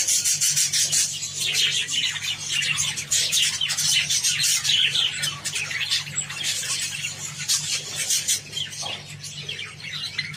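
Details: Java sparrows pecking at wheat, a continuous chatter of high, thin chipping notes and rapid clicks, roughly two bursts per second, fading slightly toward the end; steady low electrical hum in the background.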